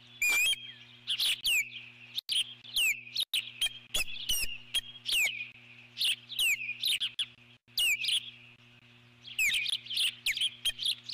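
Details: Eagle defending its nest from an intruding bird, 12 July 2014: a persistent run of high, squealing, down-slurred whistles and chitters, several per second at peaks, with brief pauses, over a steady low hum.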